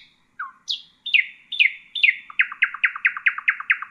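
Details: Nightingale song used for teaching young birds. A clear, varied phrase of separate whistled notes gives way to a fast, even run of about a dozen sharp repeated chirps. The setting is quiet, with no other sounds.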